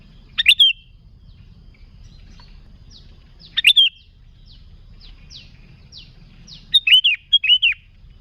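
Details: Sooty-headed bulbul song played to lure bulbuls: sharp warbled phrases, then a closing pair of looping whistled notes, with faint downward chirps scattered between them.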